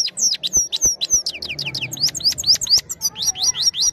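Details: Trained European goldfinch singing into a phone camera: lively unbroken twitter of fast slurred chirps, each sharply rising or falling, in quick irregular succession with faint low hum behind.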